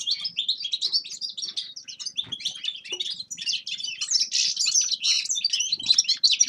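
A grey-crowned goldfinch sings a fast, unbroken run of bright, tinkling twitters and buzzy trills, high-pitched and jumbled, with no pauses.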